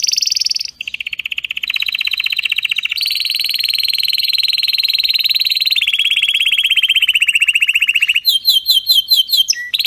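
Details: Canary song made for teaching young canaries, strong and clean: long rolling trills on steady pitches that step between several levels, ending in quick bright chirps in a faster pattern.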